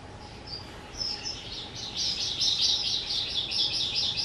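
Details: Two-year-old kept skylark singing on 18 April 2023, a few high whistled notes rising into a sustained, dense, bright warble of rapid twitters and trills, over a faint electrical hum.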